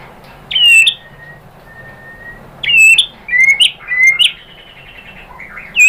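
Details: Scattered bright whistles and sharp upslurred chips from a White-rumped shama (murai batu), heard in a lure recording used to provoke a bird into singing, with quiet gaps between phrases.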